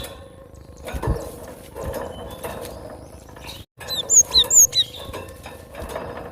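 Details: Cinereous tit (gelatik batu): after a few seconds of quiet rustling, a short burst of five high, ringing whistled notes, then quiet again.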